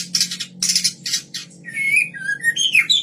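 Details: Captive-bred white-rumped shama of the Kaur type, song used to lure other birds: harsh rasping bursts first, then clear sliding whistles that drop and rise in pitch, in a small indoor space.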